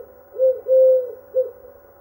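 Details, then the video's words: Dove singing soft, low, hollow coos: a short note, a long drawn-out one, then another short note, in an otherwise quiet background. "Singing Dove"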